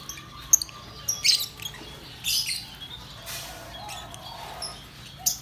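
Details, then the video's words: Yellow lovebird, a pet parrot, giving sparse sharp high chirps and brief scratchy squeaks spaced roughly a second apart, with quiet gaps between them. "Lovebirds' Sounds. Beautiful Lovebird. Singing and chirping sound - yellow"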